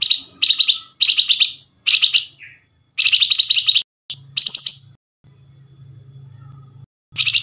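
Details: Flamboyan bird giving a fast nyerecet lure call meant to draw replies from other Flamboyan birds; dense bursts of high buzzy chattering notes, each burst under a second, repeated with short gaps, plus a thin steady high tone.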